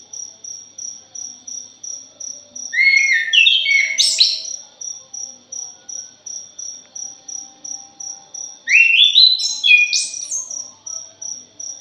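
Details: Thrush (punglor) song used as a lure recording: two bursts of fast, varied warbled phrases that sweep up and down, separated by a pause, over a steady high insect ticking about three times a second.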